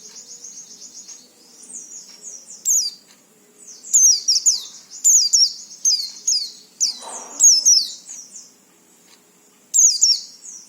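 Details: Oriental white-eye song used to stimulate other white-eyes to sing quickly, played daily: high, rapid chattering and twittering phrases with sharp downward-slurred notes, delivered in bursts with short pauses and a faint low hum beneath.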